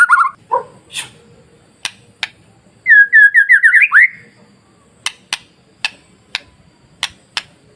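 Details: White-rumped shama masteran used to provoke other shamas into singing: a few low notes, then a rapid series of rising whistled notes lasting about a second, followed by sharp dry clicks at irregular intervals.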